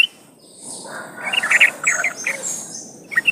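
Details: Trucukan, the Sooty-headed Bulbul, singing as a lure to prompt other trucukan to sing: short bubbly chirped notes clustered mid-phrase after a quiet start, with a faint hiss in the background.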